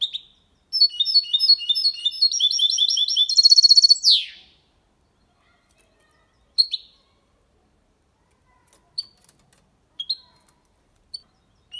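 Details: Clean, error-free song of a goldfinch and canary hybrid in Malaga copy style, for teaching young and stimulating hens; a high note, then quick twittering and a fast buzzing trill, then silence broken by scattered single chirps.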